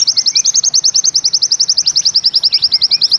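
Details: White-eye (pleci) performing the 'nembak ziperrr' of Bustomi-style song: an unbroken, very fast series of bright high chips, steady in pitch, like a zipper pulled throughout.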